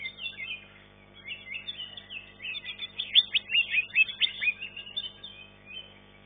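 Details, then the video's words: Contest green leafbird, third-place winner in class 1, sings softly at first, then in loud quick rising whistles and chirps packed together in the middle of the phrase before fading. "CUCAK IJO"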